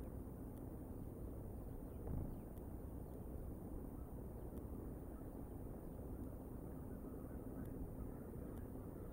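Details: Quiet, broad outdoor noise with distant machine hum and a few faint ticks, with no animal voice present.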